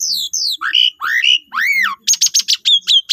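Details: Asian pied starling singing as a lure for other starlings: descending whistles, arched rising-falling slurred notes, then a fast run of short sharp chirps.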